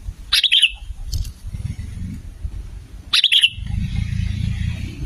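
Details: Sooty-headed bulbul song used as a lure to draw bulbuls and prompt them to call: two brief bursts of bright, bubbling whistled notes about three seconds apart, with low rumbling background noise between them.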